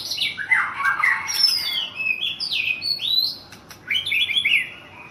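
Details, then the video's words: Champion white-rumped shama from Thailand delivering rich whistled notes interspersed with short chirps and falling slurs, phrases following closely one after another. "Murai Juara nasional di thailand"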